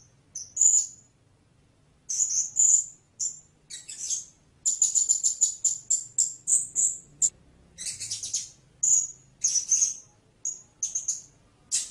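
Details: Blue-crowned hanging parrot calling in a long, busy run of thin, high-pitched chips and squeaks, with a rapid burst of clicking notes in the middle and short pauses between groups; a faint low hum throughout.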